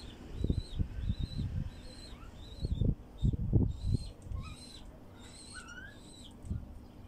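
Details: A wild bulbul sings short, bright whistled phrases, some sliding upward, repeated every second or so, used to prompt other bulbuls to sing, over heavy low thumping and rumbling noise.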